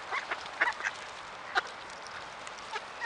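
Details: Mallards in the Ural region in November, tame birds coming close to people and begging for food: short, rough quacking notes from several ducks, clustered in quick bursts in the first second, then a few scattered single calls.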